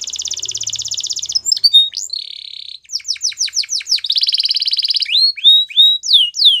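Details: Singing canary: a rolling high trill, a flat buzzy tour, a run of sharply falling chips, another rapid rattle, then a few separate slurred whistles. Clean, with no background noise.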